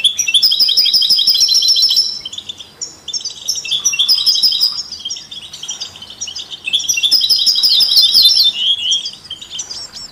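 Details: European goldfinch, canaries and mules in rich, complex song meant to stimulate other songbirds; long loud passages of fast metallic trills repeat three times, with busy overlapping twittering throughout.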